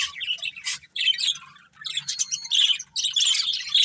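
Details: Breeding pair of budgerigars giving bursts of shrill, buzzy chirping and squeaky warbles, separated by brief pauses, ending in a loud sustained chatter.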